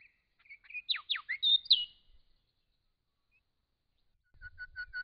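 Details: Wild grey shrike-thrush in regional Victoria, Australia, recorded by camera trap: loud, ringing whistled phrase of steep down-slurred notes ending in a bright sustained whistle, followed after a pause by a quieter run of short repeated chirps with faint low rustling.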